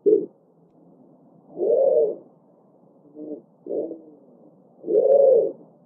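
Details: Quieter pigeon calling, with three swelling, throaty coos spaced about two seconds apart and softer broken notes between them.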